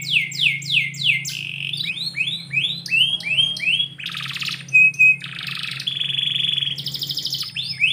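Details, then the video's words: In the morning indoors, a canary delivers repeated falling whistled notes about three per second, then varied buzzy rolls, short flat tones and trills, with a low background hum. "KICAU BURUNG KENARI - DIPAGI HARI DALAM RUMAH"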